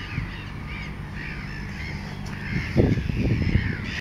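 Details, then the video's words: Mediterranean gull, red-ringed individual HK48, at Sol de Loire, Montjean-sur-Loire, Maine-et-Loire, France, on 3 July 2013; short nasal arched calls repeated several times over steady low rumbling background noise, with a louder burst of clattering sound near the end. "Mouette mélanocéphale rouge HK48 (Larus melanocephalus, Mediterranean Gull)"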